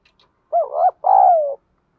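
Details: Single cooing phrase from a decoy spotted dove in 'giọng Thổ' style: a warbling first syllable, a short gap, then a long smooth hoot easing downward. Faint ticks come just before.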